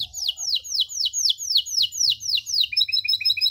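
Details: Canary singing to teach young canaries: a steady series of clear whistles, each sliding downward, about two per second, switching at the end to quicker, shorter chirped notes.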